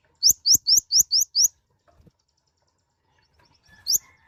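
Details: Konin, or mouse-colored sunbird, giving a series of six bright rising whistles at an even quick pace. A second of near silence follows, then one more upswept note.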